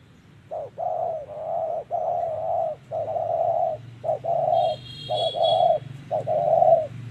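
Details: Spotted dove in 'thổ' voice style at a trapping site, calling steadily with rapid repeated phrases of a short coo and a longer low coo, about one per second, with brief high chirps midway.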